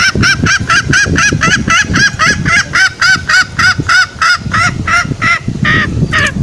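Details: Green junglefowl lure call played in the forest to attract males to snares. Rapid, continuous honking notes, roughly three to four per second, slowing slightly toward the end, over rough low background noise.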